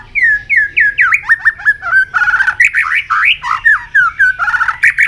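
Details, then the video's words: White-rumped shama in intense, many-voiced contest song while flicking its tail: an unbroken stream of loud varied whistles, slurs and rapid chattering notes, with almost no pauses. "chòe lửa hót đập đuôi liên tục,kích chòe lửa hót đấu căng lửa sổ nhiều giọng"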